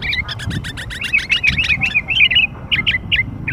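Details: Young sooty-headed bulbul lure call: quick bubbly chirps running together in a dense chatter, then easing into spaced, whistled notes.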